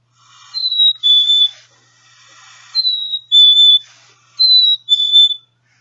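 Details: Black-capped Chickadee singing its two-syllable fee-bee song, which it rarely varies: three clear whistled phrases, each a higher note dropping to a lower one, about two seconds apart over faint hiss.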